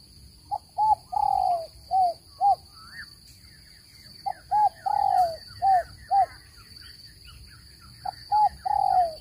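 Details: Spotted dove call recording used to lure birds into traps: low cooing phrases of two short clipped coos followed by a longer drawn-out falling coo, repeated three times with pauses, over a steady high-pitched electronic whine and faint chirps.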